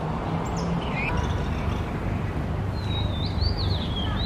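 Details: A mated pair of Oriental magpie-robins calling: after a few scattered short chirps, a clear whistled phrase with rising and falling slurred notes comes near the end, over steady low rumbling background noise.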